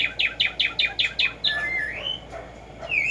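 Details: Black-striped sparrow song outdoors: seven evenly spaced, sharp downslurred notes in quick succession, followed by long, wavering whistles that rise at the end.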